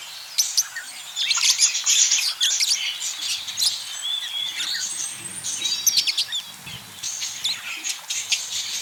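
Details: Budgerigar parakeets, apparently a courting pair, chatter in a fast, high, scratchy warble of chirps and clicks, continuous across the whole stretch with brief louder bursts.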